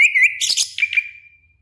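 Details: Orange-headed thrush giving quick looping whistles, then a brief harsh rustling burst, followed by two short falling whistled notes that fade out slowly.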